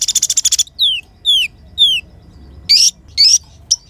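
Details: Sunbird known as kolibri ninja in a clean recording used as a tutor track; a fast buzzy trill, three thin descending whistles, then two rising sibilant sweeps and a short high note.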